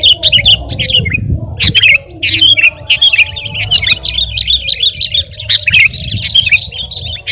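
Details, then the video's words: Sooty-headed bulbul song used as a training and lure sound: bursts of bright warbled notes, a brief pause near two seconds, then a long rolling chatter over faint low noise. "masteran dan pancingan suara burung KUTILANG GACOR💯bikin burung anda KONSLET⁉️"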